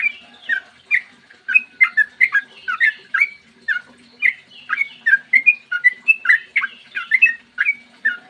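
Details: Sooty-headed bulbul delivering long, clear morning song to provoke other bulbuls into singing: a busy, unbroken stream of short, liquid, slurred whistles rising and falling.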